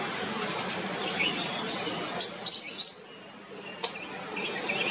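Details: Young bulbuls in a parking shed nest cheeping to draw their parents and get fed; a few soft chirps, then a tight run of three loud high squeaks, one more later, over hiss.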